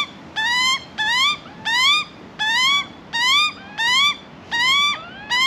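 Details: Young Australian magpie in Australia begging for food: a steady series of seven harsh, rising, nasal squawks, each about half a second long, spaced roughly every three-quarters of a second.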